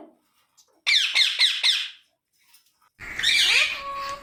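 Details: Parrot uttering four short harsh squawks in quick succession, then a pause and a longer, louder raspy screech with a rising tone underneath and some background noise.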